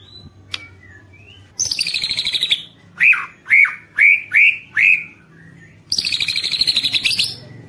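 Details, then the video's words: White-rumped shama song meant to spur other shamas into singing: a fast buzzy rattle, five loud rounded whistled notes each dropping in pitch, then another harsh buzzy rattle, over a low steady hum. "MURAI BATU GACOR ampuh buat pancingan murai batu agar bunyi"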